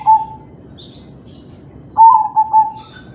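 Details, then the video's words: Kept crossbred zebra dove of the kalung tempuk type cooing to spur other doves into song: one soft clipped coo, a pause, then a three-note mellow phrase ending in a drawn-out tail. "Suara perkutut crossing manggung || Perkutut crossing kalung tempuk || Pancingan perkutut lain"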